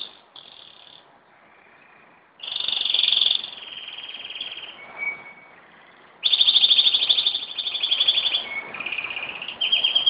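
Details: Pet canary singing indoors at home in Jeddah, September 2008: bursts of rapid high trills and rolling rattles with brief whistled tones between phrases, separated by quieter pauses.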